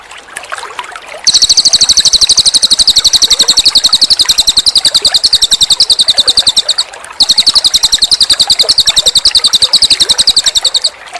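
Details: Cililin bird in a master recording with pauses: rapid, buzzy, high-pitched notes repeated about three to four times a second in long bursts, with a brief break, over soft running water.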